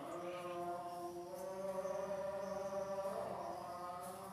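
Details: Soft chanted singing with sustained, harmonic-rich vocal tones over a quiet background, and no animal calls.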